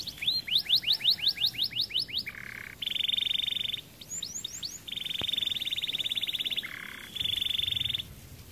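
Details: White canary singing: a run of rapid descending whistled notes, then sustained buzzy trills and rolls at different pitches, some low and some high, alternating in long phrases.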